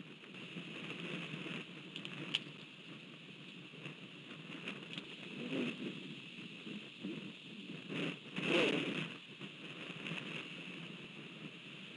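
Only steady hiss and rustling wind noise with a few soft thumps; no animal calls stand out.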